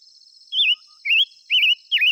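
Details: Five-coloured bird singing: four short, bright, wavering whistled notes, each rising then falling, about half a second apart, against a constant high-pitched insect hum.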